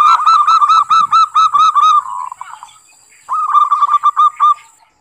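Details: Zebra dove (perkutut) giving the 'ngerot/kerot' song type, said to excite other doves: two runs of quick, rhythmic, mellow cooing notes, each a rapid staccato series, split by a short pause, over a faint steady high whine.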